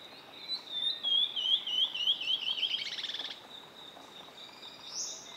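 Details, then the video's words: A Tawny-throated Leaftosser (Sclerurus macconnelli) in northeastern Brazil in October 2016 gives a high, thin series of sharp whistled notes that quickens into a rapid chatter over about two seconds, against a steady insect hiss. "Tawny-throated Leaftosser - vira-folha-de-peito-vermelho"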